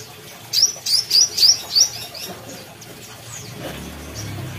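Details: Brown-throated sunbird from Kalimantan singing: a quick run of five high, thin, upslurred notes close together, followed by softer faint chirps and low background hum.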